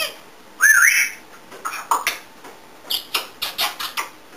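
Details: Pet African grey parrot in a room: a loud wavering whistle rising in steps, then a series of sharp rhythmic clicks and taps repeated several times a second.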